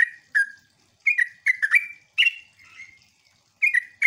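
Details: Irregular bursts of chirpy, rippling notes from a sooty-headed bulbul, a lure sound to get other bulbuls calling back, with uneven pauses and a faint softer note between phrases.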